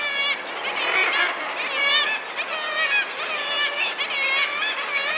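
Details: Thick-billed murre, also known as Brünnich's guillemot, in a dense chorus of many birds giving harsh, wavering, honking calls that overlap without pause.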